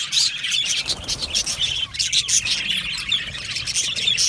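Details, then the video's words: Australian budgies chirping together in an aviary colony: rapid high twitters with occasional clear whistled squeaks rising above the general chatter. "Australian Budgie parrot chirping sounds"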